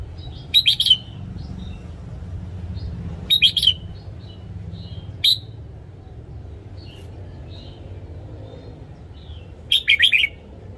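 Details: Morning song of a caged red-whiskered bulbul used to train other birds: short bright warbled phrases of two to four notes, spaced a few seconds apart, with low background hum between them.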